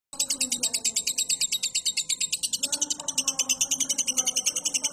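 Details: Caged lovebird on a training recording for cage birds, giving its long ngekek trill: a steady run of high, buzzy chattering pulses, roughly eight per second, with a faint low murmur underneath.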